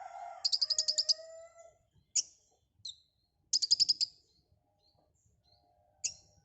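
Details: White-rumped shama, or konin, in active full song: a fast buzzy high trill over lower drawn-out whistled notes, then sharp single notes and a second short rattling trill.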